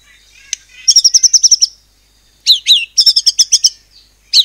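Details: Rapid-fire 'nembak cungkok cililin' song of a white-rumped shama, used to provoke other birds to sing: a run of bright repeated high notes, then sharp downslurred whistles and another quick series.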